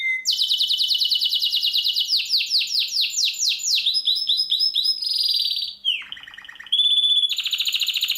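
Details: Master song recording of a prized bird, used for training contest birds to gain rich fill-in phrases: fast high chattering trills, runs of buzzy repeated notes, a sliding whistle, then a bright sustained piping phrase, with no background noise.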